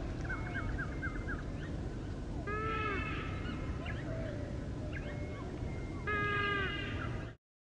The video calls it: Baillon's Crake